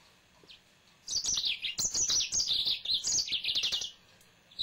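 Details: Pet male yellow-fronted canary starts after a second of near silence and pours out about three seconds of fast, high, twittering song with sliding whistled notes, then falls quiet, leaving a faint chirp at the end.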